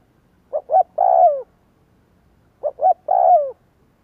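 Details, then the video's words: Lure recording of a spotted dove meant to provoke wild doves into cooing; a three-part phrase of two brief soft coos and a drawn-out descending coo, repeated twice with a gap of about two seconds, faint low hum behind. "Tiếng chim cu kích bổi Hiệu quả /Cu gáy kích bổi/ Chim cu gáy kích bổi 100% mở gáy liền"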